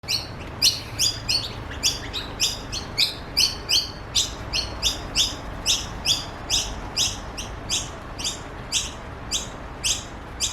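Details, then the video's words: Australian noisy miner chicks calling for food in a garden in Australia: harsh, buzzy chirps repeated steadily about twice a second throughout, with a faint background hiss. "Australian Noisy Miner Babies call for food"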